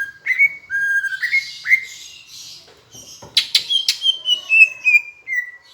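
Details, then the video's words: Tutor song of a greater green leafbird from Palembang blended with Asian brown flycatcher phrases: clean whistled notes held then rising, soft breathy warbles, sharp clicks, and a descending run of bright whistles near the end. "Masteran cucak hijau rasa sikatan londo"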